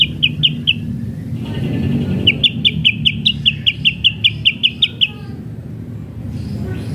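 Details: White-rumped shama kretekan, used to rouse other shamas: rapid, evenly spaced sharp high chips in a long run of about fifteen notes after a short burst, with noticeable low background noise.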